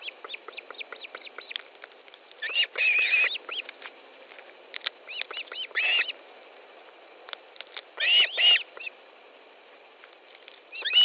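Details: Osprey nest in Estonia on a July morning with fish being delivered: soft rapid clicking, then scattered bursts of high whistled chirps, louder toward the end.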